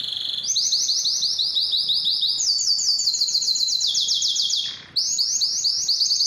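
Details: Canary song played to stimulate singing and mating in pet canaries: long fast trills of rapid repeated notes near the top of the range, shifting to a higher trill, then a falling sweep, a brief pause and a fresh trill.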